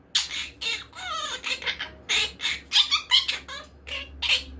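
A monk parakeet chatters in harsh, grating squawks and scratchy bursts, some with brief whistled tones, uttered irregularly two to three times a second over a low hum.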